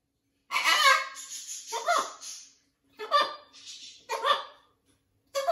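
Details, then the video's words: Blue-and-gold macaw at a parrot rescue, adapting to its new flock, in a run of varied, speech-like squawks and chatter, several syllables strung together in bursts with brief pauses between. "Blue & Gold Macaw is adapting to his new flock. Lots of parrot talking."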